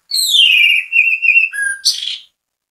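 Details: Orange-headed thrush in strong song, used as bait to make other birds of its kind sing. A long, high, whistled note slides downward, then breaks into warbled phrases and ends in a harsh, scratchy burst.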